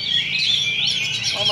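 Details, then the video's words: Brief burst from an Oriental magpie-robin singing contest duel at a Sunday practice event in Sindanglaut: sustained high whistled phrases sliding up and down, with crowd chatter underneath. "Oriental Magpie Robin Singing Contest"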